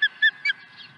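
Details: Osprey at its nest on 23 April 2020, swooping in with a second fish: three loud, clear, high whistled chirps in quick succession, each sharply falling, all within one second.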